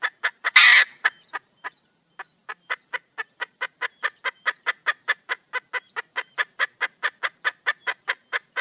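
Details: Female red junglefowl in the wild calling for a mate; opens with a loud raspy squawk, a short pause, then a long, steady stream of clipped clucks repeated several times per second.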